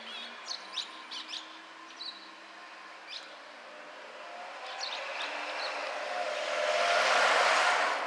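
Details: A Chestnut-cheeked Starling sings by a house and garden on 5 May 2012, giving scattered squeaky, high chirps over the first few seconds, then drowned by a vehicle's rushing roar that swells toward the end.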